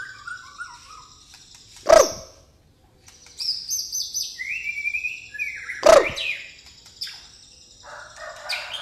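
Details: White-rumped shama, pastol type, caged, with gereja tarung song content: clear rising whistles and short warbled phrases broken by two loud sharp knocks, with quiet gaps between the phrases.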